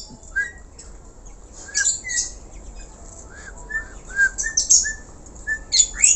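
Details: Black-collared starling singing: sparse, clear whistled notes, some short and flat, some slurred, spaced through the phrase, with occasional harsh scratchy bursts that grow more frequent toward the end.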